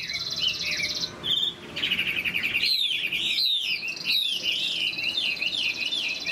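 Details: Caged Chinese hwamei, a mature wild-caught bird in moult among about 25 cages, singing in the wild-forest style: a fast run of loud, varied whistled phrases that slide up and down, continuous after a brief pause, with faint background clatter.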